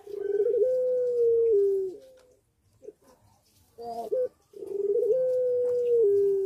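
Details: Captive puter pelung dove in breeding condition, singing actively indoors: two long, level, low coos, each ending with a falling tail, separated by short rough notes and a brief pause.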